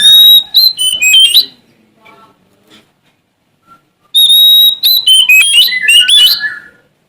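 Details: Sumatran Oriental magpie-robin in vigorous song, challenging an opponent: two loud phrases of clear whistles and tumbling slurred notes separated by nearly three seconds of near silence with a few soft notes.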